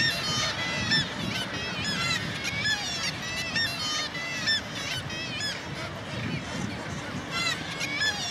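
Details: Kittiwakes calling at an inland nesting colony on the north side of the Baltic Mill in Gateshead on the Tyne; many overlapping nasal, harmonic calls with upward-bent notes, repeated in a constant chorus over low rumbling city background.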